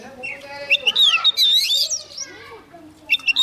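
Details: Young Oriental magpie-robin with a wild bird close by. It gives a loud, fluid sequence of rising and falling whistles lasting about a second, then brief notes again at the end, with low human voices underneath.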